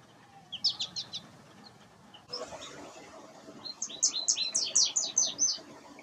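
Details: American goldfinch feeding on cosmos seeds in window flower boxes: two short bursts of rapid, high twittering notes separated by a pause, over faint background noise.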